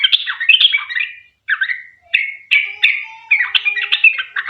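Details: Sooty-headed bulbul in long, rapid 'ropel panjang' style song, meant as a lure to make other bulbuls sing along. Chattering, bubbly phrases of mixed whistles and squawky notes, broken by short pauses near one and two seconds.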